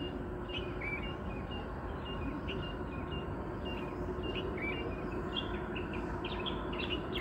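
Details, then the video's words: Parrots calling at about 5 in the morning in a village, a daily chorus; short repeated high chirps and squawks scattered through the clip over steady low traffic rumble from a nearby bypass road. "5కి ఎప్పుడు లేచినా ఇలాగే చిలుకలు, చిలుకలు అన్నీ అరుస్తూ ఉంటాయి."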